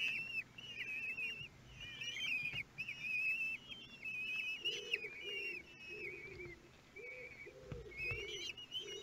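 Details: Kestrel chicks at a nest in Théding, France, begging during feeding on their 13th day, 5 June 2022. Dense, overlapping high whistled squeals that rise and fall, with softer lower nasal notes repeated in the second half.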